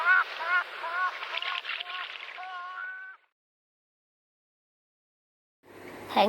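A gull gives a run of harsh, harmonic-rich calls, some dropping in pitch, ending in a drawn-out nasal note; silence follows, then a burst of noise.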